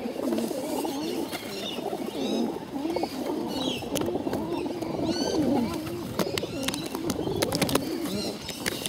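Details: Hungry bottle-fed pigeons begging: wavering, wheezy squeals rising and falling in pitch, repeated in quick bursts throughout, with sharp clicking and tapping sounds in between.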